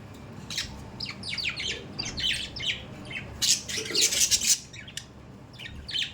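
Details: Chirps and harsh squawks from pet budgerigars, quick downward notes mixed with noisy bursts, given rapidly and irregularly over faint room hum.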